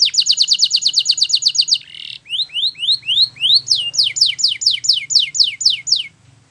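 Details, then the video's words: Belgian canary singing a training song meant for young canaries: fast trills of descending high whistled notes, then a buzzy burst and a series of rising swept notes repeated about four times a second. "Belgian Canary Singing !! Canary Training Song"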